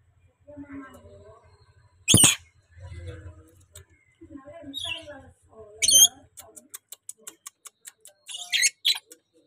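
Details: A tame rainbow lorikeet gives three harsh, shrill screeches and a run of rapid clicking chatter, with murmured speech-like babble throughout.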